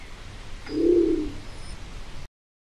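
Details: Nicobar pigeon (Caloenas nicobarica) gives a single low, hollow grunt lasting under a second over a quiet background hiss.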